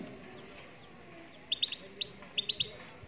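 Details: Moroccan goldfinch singing: quick clusters of short, high, sharp chirped notes, two or three at a time, after a quiet start, over a low background hum.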